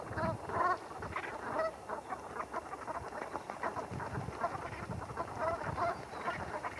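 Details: At Heybridge Basin in Essex, Brent geese wash and preen while uttering scattered, soft, nasal honking notes. Some calls cluster at the start and others near the end, over steady watery splashing.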